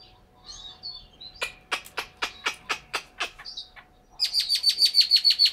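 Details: Caged Chinese hwamei from Hanoi, Vietnam, delivering a series of sharp, descending whip-like notes about four per second, then switching to a loud, fast, evenly repeated bright whistle with a faint background hum.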